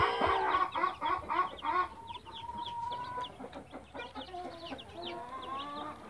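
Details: Blue backyard hen with chicks; a short series of loud clucks, then drawn-out thin chick peeps and down-slurred high chirps.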